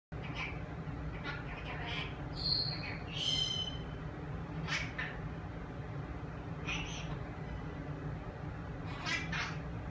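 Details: A pet parrot asking Alexa to play Elton John's song "Levon", talking in short, raspy human-like phrases with a few bright squawky syllables over ten seconds, above a steady low room hum.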